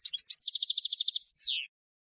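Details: Goldfinch field song meant to teach novice decoy birds: a few quick chirps, then an even buzzy trill of about a dozen notes ending in one long, falling, drawn-out whistle.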